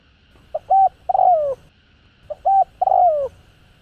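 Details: Spotted dove voice used to stimulate decoy birds, covering calling, urging and cooing types: two phrases, each two brief mellow notes then a drawn-out descending coo, repeated about two seconds apart.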